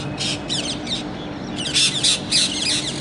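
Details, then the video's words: Parrots calling with harsh, scratchy squawks in quick irregular bursts, several loud grating notes close together, over a steady low background hum. "toty ki awaz | तोता | parrot voice"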